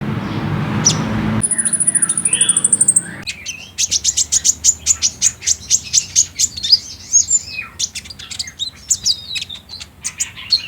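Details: Olive-backed sunbird (kolibri ninja) lure song, speckled 'trotol' form, meant to prompt a caged bird to answer and sing at midday. Phone recording: low rumble first, then a long high whistle, then rapid high chirps and twittering trills.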